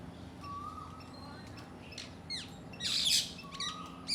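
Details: Parakeets in a yard give harsh, high squawks and quick downslurred chirps, with a loud screechy burst near the end; a faint whistled note and low background hum also heard.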